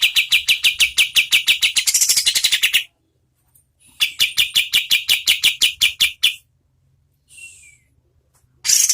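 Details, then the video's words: High, piercing staccato notes from an oriental white-eye, sung at medium speed as training audio for contest birds, come in two fast rattling bursts of about three seconds each, separated by silence, with a faint thin call after. "KAPAS TEMBAK GACOR SPEED SEDANG"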